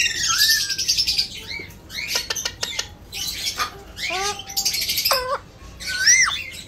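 An Alexandrine parakeet mimics speech in short, raspy, human-like phrases mixed with harsh, buzzy squawks and brief rising whistles. The sounds come in bursts about a second apart.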